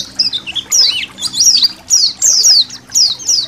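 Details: Indonesian white-eye colony recorded to train cage birds, water trickling: quick high trills and swooping slurred chirps in bursts about every half second, with a soft low hum.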